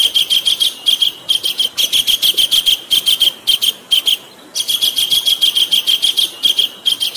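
Kingfisher giving shrill, piercing high notes in fast rattling runs, several per second, broken by a short pause; nothing else stands out.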